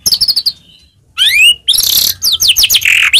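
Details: White-rumped shama song played to fire up rival shamas: a high trill, a pause, then a long rising whistle and a burst of harsh, buzzy and swooping notes.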